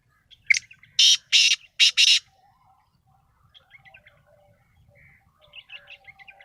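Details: A loud black francolin, the kala Sindhi titar, rasps out its call: a short sharp note and four grating bursts, followed by several seconds of soft twittering from smaller birds.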